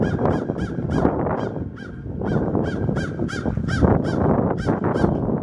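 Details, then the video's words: Crows give harsh, hoarse caws in quick bursts, about two each second, while flying away after being chased by northern mockingbirds, in Savannah, Georgia, on 8 July 2023; heavy low rumbling wind and handling noise. "crows flying away and calling"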